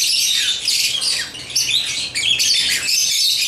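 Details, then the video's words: Shrill squawks and chirps from African lovebirds playing with toys, a steady high chatter with some downward-sweeping notes. "Love birds chirping & playing toys"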